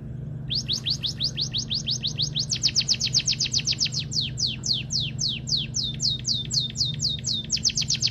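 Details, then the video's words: White-headed munia in lively singing form, a long run of thin, high whistled notes, first rising, then falling, about four a second, speeding up mid-phrase, over a steady low hum. "Emprit Kaji Gacor"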